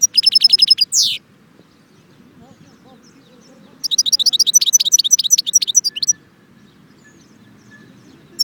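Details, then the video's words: European goldfinch singing at Jebel Ouahch near Constantine: two bursts of high, rapid tinkling and twittering notes, a short one at the start and a longer run of quick chirps midway, with quiet low background murmur between. "chardon chant"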